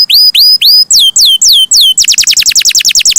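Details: Canary song opening with slow rising whistled notes, then longer downward slurs, before breaking into a quick rattling trill of short descending sweeps.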